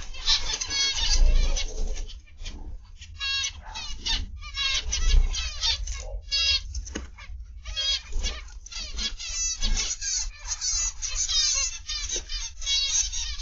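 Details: Live aviary stream of zebra finches, afternoon/evening of 29 November 2021: a busy chorus of nasal, toy-trumpet beeps and buzzy, stuttering song phrases overlapping without pause, over a steady low rumble.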